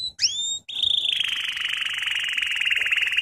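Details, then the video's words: Canary singing lesson: a brief rising whistle, then a long, steady, slightly buzzy trill held at one pitch throughout. "Canary Singing - lesson 33"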